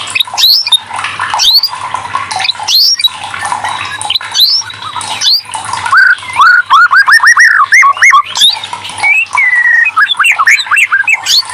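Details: Prompting song of the white-rumped shama for lazy birds: scratchy, harsh opening notes giving way to a rapid series of looping whistles at about three per second, then mixed chirps and clear whistles.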